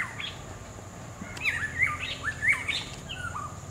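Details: Melodic whistled phrases from a black-hooded oriole in the wild, a quick run of liquid rising and falling notes in the second half, with a constant high insect whine and low rumble behind.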